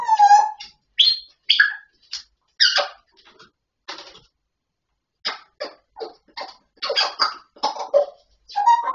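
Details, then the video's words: Grey parrot talking: a scattered string of brief clicks, chirps and clipped syllables with short pauses, opening and closing with a tonal speech-like note. "Perroquet qui parle /Gris du Gabon"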